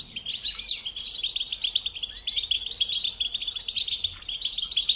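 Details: Continuous high-pitched goldfinch song, a fast liquid twittering of chirps, trills and short rising notes running without pause.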